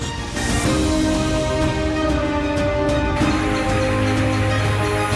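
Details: Loud instrumental music with steady sustained tones plays throughout, with no animal calls heard.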